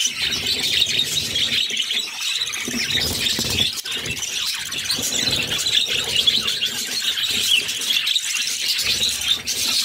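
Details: Budgerigar mother feeding her six chicks: an unbroken raspy squealing chorus, high and grating, swelling and dipping with short gaps near the middle.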